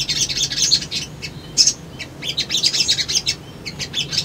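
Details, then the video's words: Sunbird twittering from a lure recording meant to guarantee a response: rapid high chirps in dense clusters, with a loud sharp note near the middle and continued quick twittering after. "SOGON GACOR PANCINGAN BAHAN IJOAN❗ CUMA 1 MENIT❗PASTI RESPON"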